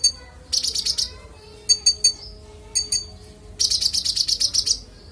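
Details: Konin singing clear, full song used as master audio for training songbirds: bursts of rapid, high buzzy chirps alternating with short spaced ticks, a faint steady low hum underneath.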